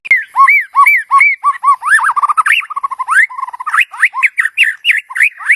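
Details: White-rumped shama song for calling a mate: it opens with paired clear whistles repeated evenly, a high arched note then a lower one, and breaks into faster, varied rising slurs and chips.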